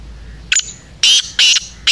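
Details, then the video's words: Black francolin (kala teetar) calling in a Pakistani village setting: loud, harsh, grating bursts in short clustered notes, the second and third longest and strongest, with a faint hum between them. "kala teeter ki awaz"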